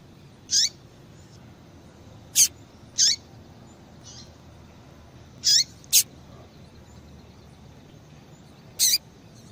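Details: Female yellow-bellied seedeater calling a lot to excite males and stimulate their singing; short, sharp high notes with downward sweeps, six calls spaced irregularly over nine seconds against a quiet hiss.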